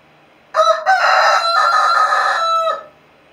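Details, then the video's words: A young Brahma rooster, crowing and talking to his hens, gives a single crow of about two seconds: a short opening note, a break, then a long held, slightly strained tone that trails off. "baby rooster crowing"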